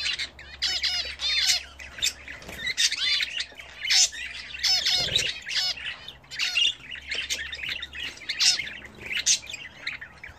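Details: Budgerigars bred and kept at home, calling while bathing: dense, rapid chattering squawks and warbled chirps with fast up-and-down sweeps in bursts. No gaps of silence and a faint low hum underneath.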